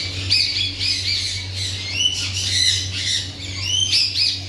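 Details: Parrot giving harsh, raspy squawks in quick overlapping bursts, several rising and falling shrieks, with a steady low hum underneath throughout.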